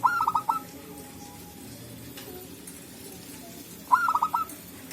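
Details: Local zebra dove calling in the wild forest, birds answering one another back and forth: two short bursts of rapid, stuttering cooing notes about three and a half seconds apart, over a faint steady hiss.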